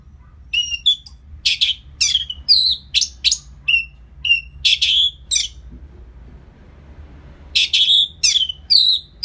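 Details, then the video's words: Orange-headed thrush song used to excite a bird after its moult: a long run of varied high whistles, rasps and slurred notes with a brief pause near the middle, then resuming energetically. "Pancingan Suara Burung ANIS MERAH Pasca Mabung || Selow Bikin Burung Bergairah jadi lebih agresif"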